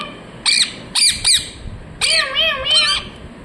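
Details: Loud harsh parrot screeches from a ringneck: three short squawks, then two longer wavering notes with rich layered tones, all close and clear.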